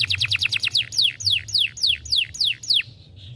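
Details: A young canary gives rapid short descending notes that slow into longer swooping whistles, then fades with a soft buzz.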